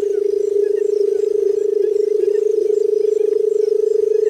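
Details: Barred buttonquail calling: a steady, low, humming tone rapidly pulsed into a continuous purring trill that runs unbroken throughout, with faint higher chirps in the background.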